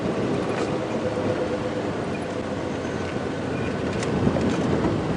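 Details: Steady low engine rumble from a vehicle on an evening safari drive at Djuma Game Reserve, with no animal voices standing out.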